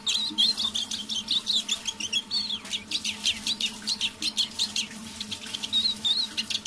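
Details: Eurasian siskin in a cage warming up its quiet evening song: dense, rhythmic high twittering and chirping phrases repeated steadily, with a short whistled note at the end, low hum underneath.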